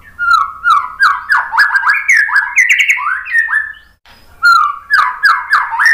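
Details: White-rumped shama song used as a lure to get other birds singing: rapid runs of loud, varied whistled phrases, sliding and looping notes repeated in bursts with a brief pause near four seconds, then resuming.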